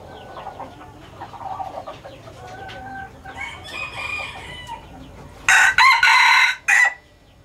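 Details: Male hybrid red junglefowl, a Laos-strain breeder, crows once after soft clucking: a sudden harsh burst, then a second longer syllable and a short clipped finish.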